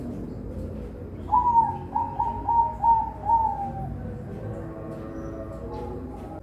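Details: Captive-bred zebra doves from a bird farm in Semarang, Indonesia: a clear series of five mellow cooing notes near one pitch, slightly descending, spaced about half a second apart, over steady low background hum.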